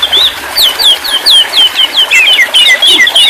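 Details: White-rumped shama song: a fast series of bright, slurred whistled notes repeated about three times per second, each dipping and rising, with faint higher overtones and little background noise.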